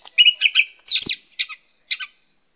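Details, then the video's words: Wild Oriental magpie-robin, used as a lure call, giving high, scratchy chattering notes with a few rasping bursts, then two short spaced calls, with no other sounds. "SUARA PIKAT BURUNG KACER LIAR"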